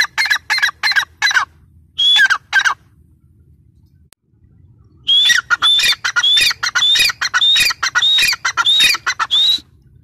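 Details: Female teetar, the grey francolin, calling in harsh clipped squawks: a short burst, a brief silence, then a longer rapid series of rasping notes with whistled tones.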